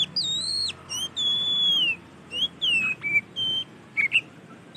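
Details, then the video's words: Oriental magpie-robin singing loudly and actively: clear, pure whistled phrases, long level or gently falling notes alternating with short upslurred and looping whistles, each phrase separated by brief pauses, over faint low background hum. "Suara Burung KACER GACOR Dan Kicawan Sangat Lantang"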